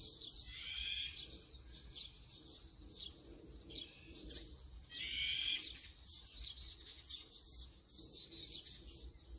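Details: Brown-eared bulbul filmed with a Sony A7M3 camera and 200-600mm lens: two loud, harsh, screechy bursts near one and five seconds, set against steady high twittering from other small birds.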